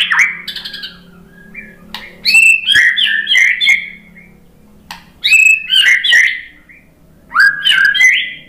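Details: White-rumped shama provoked by a lure recording, delivering loud bursts of chattering, whistled phrases separated by pauses of about two seconds, over a faint low hum.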